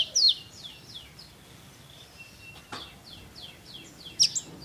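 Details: Kolibri ninja sunbird singing, recorded to teach other songbirds: a loud opening note, then a string of fainter descending high slurs and short whistles, finishing with sharp bright chips over steady background hiss.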